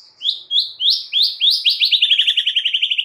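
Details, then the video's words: White-rumped shama in active song with mimicked filler phrases, used as a stimulus for stressed birds: a series of high up-slurred whistles that speed up into a rapid, even trill. "Murai Batu GACOR BONGKAR ISIAN"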